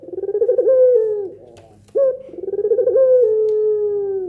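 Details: Two closely spaced pelung nangguk coos of a Barbary dove, a call said to set other doves replying, each a throbbing roll sliding into a long, steady, gradually lowering hoot.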